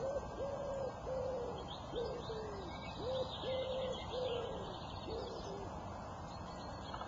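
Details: Bird singing in a dawn chorus: a low, soft hooting note repeated about once a second, sometimes in pairs, over a constant hiss of background noise with faint higher chirps.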